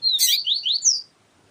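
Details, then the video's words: Yellow-bellied seedeater tutor phrase, with a female calling to stimulate the male: a whistled note, a harsh buzzy burst, then rising slurs ending in a higher whistle. "Papa capim siu siu Melodia com Fêmea chamando para Esquentar papa capim siu siu"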